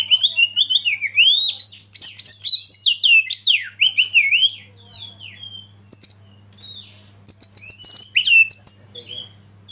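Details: Oriental magpie-robin (kacer) lead bird goading others to sing: a long run of loud, looping whistles and quick falling slurs, then sharper high chattering bursts after a short quiet spell, a faint hum throughout.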